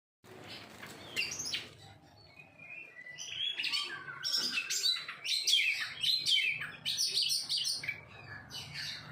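An Oriental magpie-robin sings a rich, varied stream of loud whistles, trills and harsh chattering notes, high-pitched and continuous, with faint background hum.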